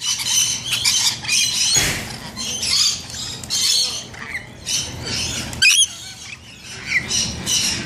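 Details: Bathing rainbow lorikeets keep up a chattering stream of shrill, rasping screeches and squeaky notes, several overlapping at once, with no steady rhythm.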